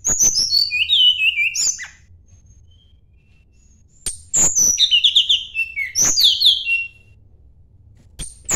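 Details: Sunda blue robin, known locally as tledekan gunung, in rival-seeking song: two long bursts of bright descending whistles and warbled trills, a quiet gap between them, closing with a brief high note.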